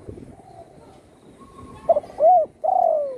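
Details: Home-kept spotted dove, recovered from a gunshot wound that broke its wing, singing in full voice: faint murmurs, then a clipped note, a rising-falling coo and a long sliding, descending coo.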